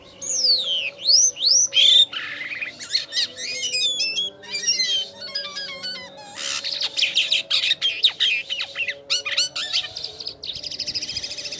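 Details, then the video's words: Jalak kapas starling singing vigorously: a loud, varied run of rising whistles, rapid chattering bursts, squawky notes and trilled clusters, delivered in quick, uneven bouts with short gaps, ending in a high buzzy chatter. "JALAK KAPAS KALAU SUDAH GACOR MANTAP JUGA"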